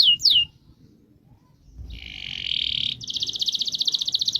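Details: Kept canary giving a long rolling song: two quick swooping notes, a pause, then a sustained buzzy trill, then a rapid even roll of repeated high notes, in a quiet room.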